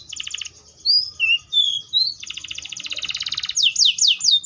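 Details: Atlantic canary song of high trilled rolls and scattered pure whistles, a long fast buzzy roll, and a final few loud downslurred whistles.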